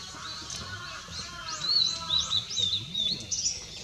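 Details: A blue-and-white flycatcher, recorded 6 May 2016, sings a quick run of high, clear whistled notes, several slurred up and down, over faint background noise.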